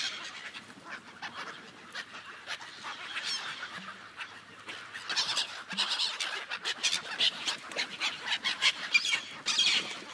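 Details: Gulls gathered on a frozen lake, a dense wash of overlapping calls and sharp crackling chatter with a few faint honking notes, building louder toward the end.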